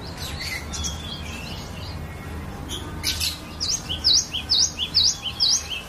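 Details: Glatik batu, the cinereous tit, a kept bird, singing a varied lure song for teaching other birds; faint scratchy notes give way to a steady run of bright, swooping double whistles about twice per second.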